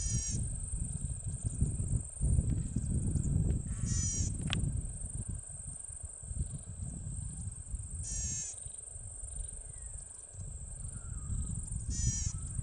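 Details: Golden-headed cisticola at Mannus Lake, Tumbarumba, New South Wales, Australia, recorded 20 May 2021: short high buzzy, ladder-like bursts repeated about every four seconds over a steady low rumble of wind or distant noise.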